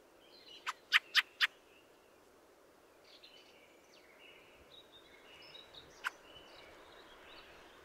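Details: Fieldfare (Turdus pilaris) gives a burst of four loud rattling chacks, then a softer run of creaky, squeaky warbled notes, with one more chack midway.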